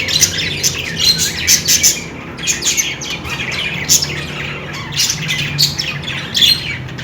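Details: Flock of budgerigars calling, repeated quick high chirps and rasping squawks in rhythmic bursts with short gaps, steady chatter underneath.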